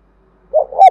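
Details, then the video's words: Spotted dove calling to lure other birds: a loud, brief two-part low coo, the second note swelling and then cut off sharply, on a quiet background. "Cu gáy thúc bổi rất sung, Tiếng cu gáy cực hay"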